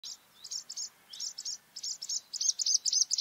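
A Bluethroat sings a rapid series of high, metallic, ringing notes, repeated about four times a second and growing louder toward the end.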